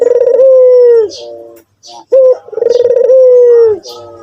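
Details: White Barbary dove repeating its coo twice: a sharp rising note, then a sustained pulsing low coo drooping at the end, with muted trailing notes; scattered high twitters from other birds.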